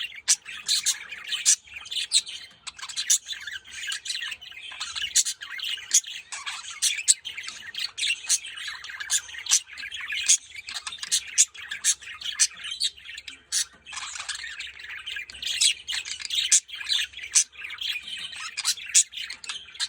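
Budgerigars chatter nonstop, a busy mix of high chirps, warbles and sharp squawks.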